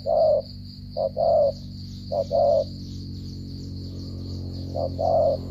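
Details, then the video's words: Stuttering-style coo of a spotted dove from Cà Mau: four low coos, each a brief note followed by a fuller drawn-out one, about once a second, with a constant high whine and rumbling background. "thổ trận âm tốt giao long lở gù cà lăm"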